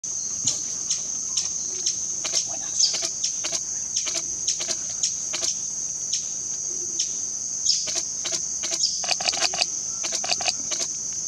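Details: A fiery topaz near Tena in the Ecuadorian Amazon gives sharp, dry chip notes, repeated irregularly about every half second, over a steady high insect drone.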